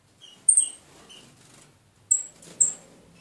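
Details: Two almost tame female red-eared parrotfinches in a decorated birdcage: thin, very high, sibilant calls given singly and in pairs, with softer short notes between, in a quiet room.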